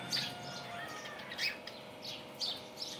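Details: Morning budgerigar chatter: bright, quick chirps and squeaks in short bursts, several sharp accented notes about one second apart, set against a faint continuous low hum.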